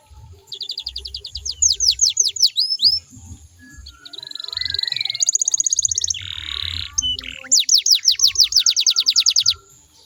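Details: Singing canary, played to coax other canaries into answering. A varied sequence of quick swept notes, rasping buzzy passages and a final series of sharp descending whistles, with dull low knocks beneath.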